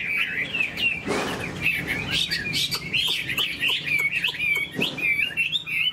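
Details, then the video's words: Caged Chinese hwamei singing with fanned tail and fluttering wings: rolling, melodious whistled phrases with quick zigzag notes, broken twice by brief rustling noise bursts. "Họa mi đuôi xòe chơi cánh, bóng bộ cực đẹp, hót vẩy đuôi khướu"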